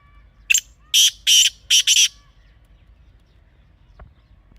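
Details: Black francolin heard in natural surroundings: one loud scratchy phrase of a clipped note, two drawn-out rasps and a fast doubled ending, all within two seconds, then quiet with a faint click.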